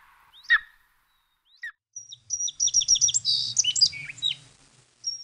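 A sparrow gives a few sharp, separate chirps, then a quick burst of high, jumbled twittering, with a faint low hum underneath.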